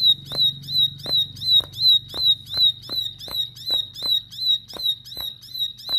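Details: Persistent bar-winged prinia song meant to make rival birds aggressive: an even run of high, slurred whistled notes roughly every 0.4 seconds, each with a soft click, over a low background hum.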